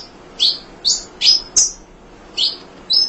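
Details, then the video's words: Munia used as a tutor for other songbirds, giving six high, clipped chirps spaced about half a second apart, each a quick downward-sweeping note. "Kicau Emprit Ngoceh Tak Kenal Lelah Untuk Masteran"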